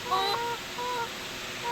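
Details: A layer hen in a hot, sunny afternoon coop around 3:30 pm, with fans running against heat stress, gives drawn-out nasal wavering notes, three in under two seconds; the owner first thinks it is calling to lay, then says it is maturing.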